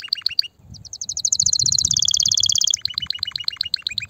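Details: Canary song to prepare females for mating: a few chirps, a short gap, then a fast accelerating trill and spaced repeated notes, over a low background rumble.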